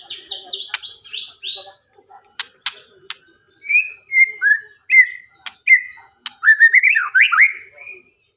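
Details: White-rumped shama singing in the 'konslet' style: a fast descending high series of notes, sharp clicks, then separate clear whistled phrases that slur up and down, ending in a rapid warbled flourish.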